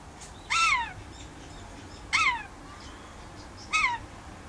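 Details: Pet rainbow lorikeet on a verandah during outside time, calling to wild birds outdoors: three harsh, downward-sliding squawks, each about a third of a second long, spaced roughly one and a half seconds apart over quiet background.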